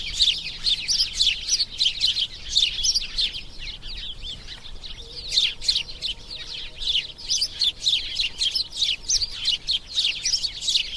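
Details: Continuous chorus of house sparrow chirps: rapid, scratchy, high notes repeated about three times a second, many birds overlapping, briefly quieter midway before swelling again.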